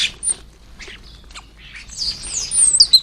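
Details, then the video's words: Common starlings at a UK garden bird table during lunchtime feeding: scattered short chirps and clicks, then a run of high, hissing, whistled chatter building louder at the end. "Noisy, lively and always enjoyable to watch as the starlings hit the garden bird table for lunch"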